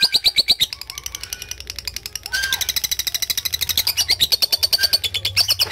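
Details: Lovebird delivering an extended 'ngekek panjang' chatter for a training recording: strong, rapid, shrill notes in a continuous rattling series that briefly softens midway, then builds again at a quick, steady pace.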